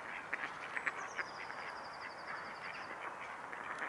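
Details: Mute swans (Cygnus olor) at Neuer Teich, 5 March 2016, 17:45, give soft nasal grunts and short snorting notes over a steady waterfowl murmur, with a thin high whistle drawn out briefly.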